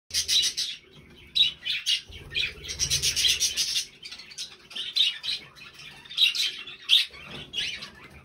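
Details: Three budgerigars calling together, a busy stream of high chirps, warbles and squawks overlapping throughout, with some low rumbling noise in the background.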